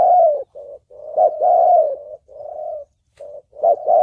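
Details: Spotted dove giving the 'thổ bầu' style coo used to stir wild doves, lure them to traps and train decoy birds; low mellow hooting phrases with short gaps, each note swelling then sliding down, in a quiet setting.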